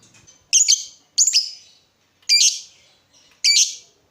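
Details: Chatty lovebird used as a lure to excite other lovebirds and as a tutor recording: four sharp, harsh chirps, each a short buzzy burst with a trailing rasp, spaced about a second apart, with no other sounds.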